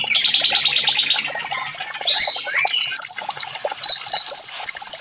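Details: Orange-headed thrush with a rich, rambling song used to get silent caged birds singing, opening with fast bright chattering, then softer mixed notes, swooping whistles and sharp high whistled bursts near the end.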